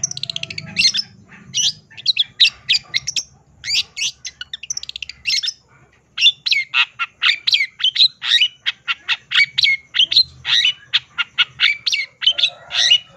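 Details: Long-tailed shrike singing gacor with full isian fill-ins: a long, hurried series of scratchy chattering notes, a brief pause, then a denser stream of sharp, rasping syllables with some higher whistled tones.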